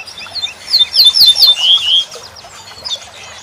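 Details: Jingling song of a corn bunting, used to tutor songbirds: a few soft lead-in notes, then a loud cascade of sharp repeated notes ending in a drawn-out buzzy trill. Faint chirps from other small birds are heard afterward.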